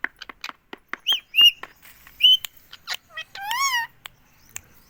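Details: Pet ringneck parrot talking, repeating "mummy": soft clicks and chirps, two loud, short, harmonic calls, then a drawn-out arched voiced syllable rising and falling, with light tapping between.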